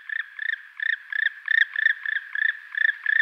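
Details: Black woodpecker calling: a steady run of short paired nasal notes, each pair repeated roughly every third of a second, clear and unaccompanied.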